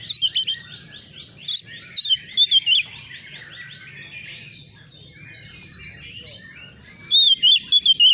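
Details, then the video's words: Agitated young Oriental magpie-robin looking for a rival: loud bursts of piercing whistled notes at the start and end, with soft rising chirp series and a steady buzzy tone in between. "SEKETIKA ITU KACER BAKALAN LANGSUNG NYAUT EMOSI KONSLET!!!burung Kacer cari lawan"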